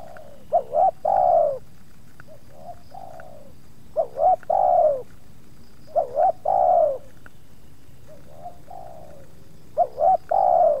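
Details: Spotted doves trading calls as two wild birds approach a kept dove during luring, the second one resisting: repeated phrases of two short notes and a long falling coo about every two seconds, with softer coos answering in the gaps.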